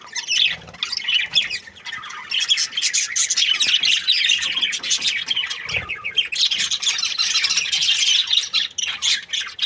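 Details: Australian budgies, a happy breeding pair, producing loud, almost unbroken warbling chatter of high chirps, squeaks and trills, one short dip in activity midway.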